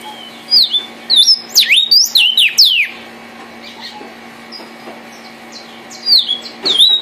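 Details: Vermilion cardinal, red, singing: bright whistled notes sliding sharply downward, delivered in a quick burst of about eight phrases, a pause, then a few more whistles near the end over a steady low hum.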